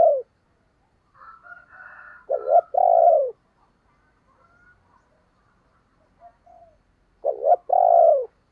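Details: Decoy spotted dove cooing to provoke other doves. Faint rising warble leads into a clipped double note and a long descending coo. After a pause, the same phrase returns, clean with no other sounds.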